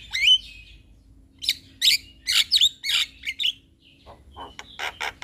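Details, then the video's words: Javan myna song for bird tutoring, full of varied notes: a bright rising whistle, then a run of harsh chattering bursts and scratchy notes, ending with quick clicks and rapid buzzy notes, with a faint steady hum behind. "Masteran Jalak Kebo Full Isian"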